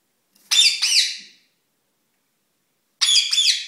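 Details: Pet rose-ringed parakeet, indoors, calling during courtship: two harsh, loud squawks with strongly harmonic, wavering notes, a pair of slurred syllables, then silence and another double squawk about two seconds later.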